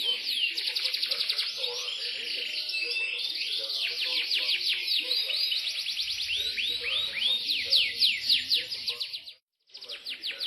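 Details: ['Imported Yorkshire canary singing a continuous, high, bright song of rapid trills and repeated rising-falling sweeps, with a brief break near the end and low background noise.']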